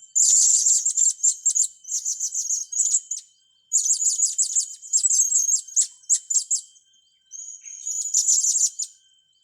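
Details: Blue-crowned hanging parrots kept to train young birds, giving long runs of shrill, very high-pitched twittering in dense bursts separated by short pauses, over a steady thin background whine.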